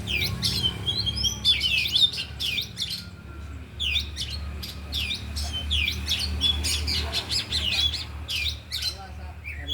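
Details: Four caged oriental magpie-robins practising in the afternoon, all singing and unloading mimicked phrases: repeated sharp chirps, squawky notes and high whistles in irregular clusters, over faint background murmur.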